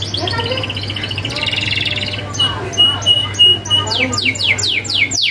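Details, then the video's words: Canary in active song used as a tutor recording filled with sharp rolls: a buzzing trill, then clear steady whistled tones, ending in a quick series of descending sweeps, over faint low hum. "Kenari Gacor isian ngerol tajam MASTERAN ampuh Kenari Bahan nyaut ❗️canary birdsong"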